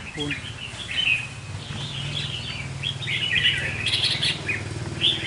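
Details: A decoy red-whiskered bulbul sings quick, sweet, warbling phrases over a steady low mechanical hum, with the phrases coming in short runs across the recording.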